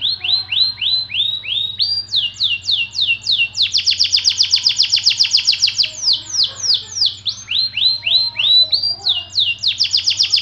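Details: White AF canary delivering a long song: phrases alternate between slower series of falling whistled notes and dense, fast high trills, with a low constant hum in the background.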